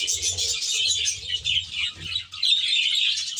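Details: Aviary-kept budgerigars chatter together in a thick layer of shrill chirps and warbling notes, dipping briefly before resuming at full strength.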